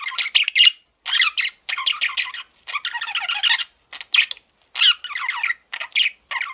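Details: Male parakeet kept as a pet, chattering in quick bursts of buzzy, scratchy warbles and chirps, each burst under a second long, separated by short pauses, with no other sounds.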